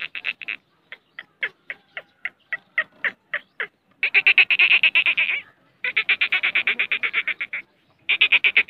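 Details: Black francolin (Francolinus francolinus), a hand-tamed pet female with chicks in breeding season, Pakistan, giving harsh, grating clicks at about four per second, then dense, rattling bursts of rapid notes.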